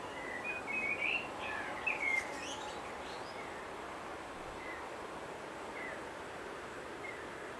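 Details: Pied stilts, two pairs nesting at Sandy Cove Reserve, Port Fairy, in late November 2020, busily building up nests against water rising after a downpour; a quick run of sharp, slightly rising yapping notes, then fainter scattered calls over steady background hiss.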